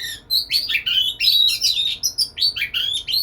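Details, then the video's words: Lively white-rumped shama singing to woo a female, pouring out quick whistled notes and chattering chirps, high and sliding, packed into dense bursts about two or three per second. "Burung Kacer gacor merayu betina"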